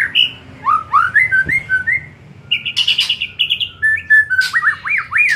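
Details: Afternoon singing by a white-rumped shama, meant to spur other shamas into frequent, full-voiced song: clear whistles rising and falling in quick phrases, buzzy trills, and repeated upslurred notes at the end.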